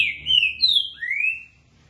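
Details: Green-winged saltator (trinca-ferro) singing the dobra and boca mole song: three rich whistled phrases, a level note, a higher falling slur, then a long rising whistle, over a quiet background.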